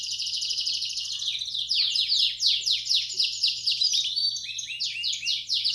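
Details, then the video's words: Belgian canary room song, 'campainha' style, used as training for young birds: a dense buzzy trill runs into fast repeated down-slurred notes that tumble in uneven bursts, all high and bright, with a soft low hum behind. "Som-do-canaril-para-esquentar-filhotes-de canar-belga."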